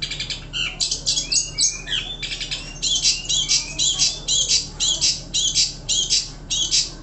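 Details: Long-tailed shrike, described as a champion contest songbird, opening with varied squeaky whistles and slurred notes, then settling into loud, harsh, buzzy bursts repeated roughly twice per second; soft low hum throughout.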